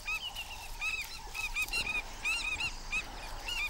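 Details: African Skimmer parents protecting days-old chicks from a monitor lizard early in the season give harsh, nasal yapping calls, several a second and overlapping, over a steady rush of wind-like noise.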